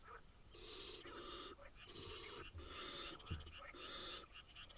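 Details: Quieter rasping hisses come from eight wild barn owl nestlings in Israel. About six noisy bursts, each near half a second long, are spread over five seconds.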